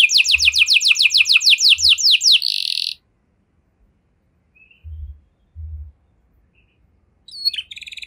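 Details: Canary in 'cengkok mewah' song, presented as a trigger for other canaries to sing. It gives about three seconds of rapid, regular downslurred notes ending in a harsh buzz, followed by near silence and a few faint chirps.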